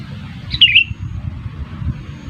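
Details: Sooty-headed bulbul, calling to lure birds to a trap, gives one brief phrase of slurred whistled notes dropping in pitch, followed by low rumbling background noise.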